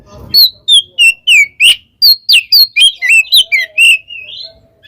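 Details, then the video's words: Oriental magpie-robin, kacer kembar ngeplong style, calling a rival: about a dozen clear whistled notes in quick succession, each sliding downward, closing with a soft drawn-out rising whistle. "suara burung Kacer KEMBAR NGEPLONG memanggil lawan"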